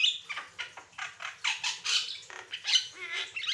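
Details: Varied Asian pied starling song for prompting other birds: a run of short scratchy notes and harsh bursts, with a brief whistle near the end.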